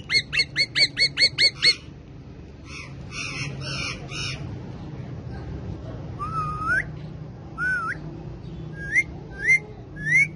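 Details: Pet male rose-ringed (ringneck) parakeets, described as talkative and dancing, give a quick run of eight sharp, shrill squawks, then harsh chattering bursts and several rising, looping whistles. There are no clear spoken words.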